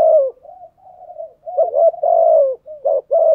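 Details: Thúc gù coo of a spotted dove used to stir wild doves to answer: a falling hoot, softer drawn murmurs, then a strong long coo and two clipped notes in quick order.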